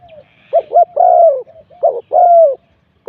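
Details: Spotted dove decoy at luring spot 41 gives two quick cooing phrases in three seconds. Each has short hooting notes leading into a long, smooth, falling coo.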